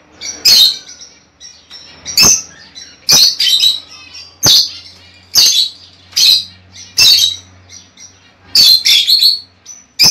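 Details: Pet lovebird calls played to stimulate a female to lay eggs: loud harsh shrieking chirps in bursts roughly every second, some doubled or trebled, with quieter chattering between them and a low hum beneath.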